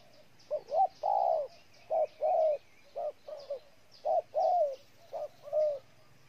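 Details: Spotted dove in Ninh Thuận, Vietnam, cooing steadily in short double-note phrases, each ending in a longer hollow coo, with soft bird chirps in the background.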